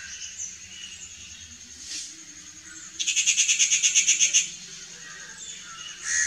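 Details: Rufous Treepie uttering a dry, rasping rattle of roughly ten quick, evenly spaced pulses over about a second and a half, with a few brief harsh notes before and after.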